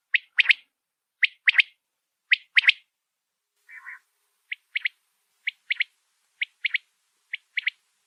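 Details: A wild quail, found in fields and forests, calls a sharp, liquid three-note phrase, one note then a quick pair, about once a second, with one lower buzzy note between. Its call is used by hunters to lure quail into nets.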